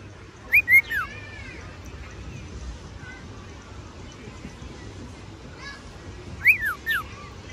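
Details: Pet cockatiel singing outdoors: two short clusters of clear whistled notes, rising then falling, at the start and again near the end, with faint quieter chirps between over a low steady background hum.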